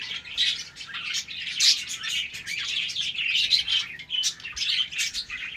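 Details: Budgerigars in a colony breeding setup in the morning, playing. They give dense, continuous high chirping and warbling, with overlapping scratchy notes and brief squeaks from many birds at once.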